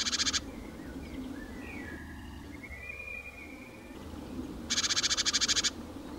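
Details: Eurasian magpie at the edge of a small pond in central France, Nouvelle-Aquitaine, late April 2017: two loud, harsh, rapid rattling chatters, one at the start and one near the end, over whistled songs of other birds.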